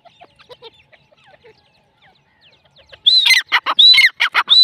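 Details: Female grey francolin, a domestic desi bird, calling: after three seconds of faint scattered notes, loud harsh repeated phrases with ringing rising-falling whistles, delivered in quick bursts.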